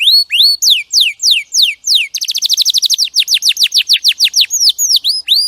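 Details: Song of a champion canary, a clear master recording for training cage birds. Rising slurred notes give way to falling whistles, then a rapid burst of short notes and more swept phrases. Each section is repeated evenly, with no other sounds.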